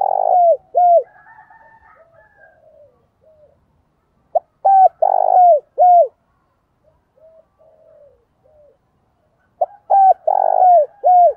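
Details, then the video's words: Decoy spotted dove calling in wild doves with repeated cooing phrases: strong hollow coos that bend downward, a buzzy middle note, and faint soft coos trailing between three bursts spaced about five seconds apart. "Chim Cu Mồi gáy gọi bổi và mồi hay nhất hiện nay"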